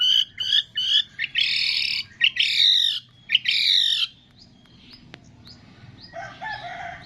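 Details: Long-tailed shrike training song filled with imitations of cililin, greja tarung, lovebird, tengkek and kapas tembak calls: harsh, scratchy high bursts and short chirps in quick succession, then a pause and softer buzzy notes.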